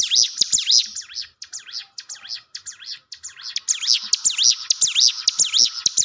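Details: Hill prinia singing as a lure for a timid caged bird: quick, high V-shaped whistled notes chained together in bursts, punctuated by sharp clicking ticks.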